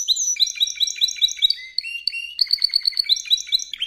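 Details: Spanish Timbrado canary song used as training audio for canaries: rapid repeated high notes in rolling series, shifting to a lower steady trill, then quick chattering phrases, with no other sounds.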